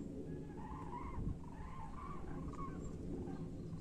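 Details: Common cranes migrating back towards Europe: distant flock giving faint bugling calls, overlapping rolling notes at mid pitch, over low rumbling vehicle-like background noise.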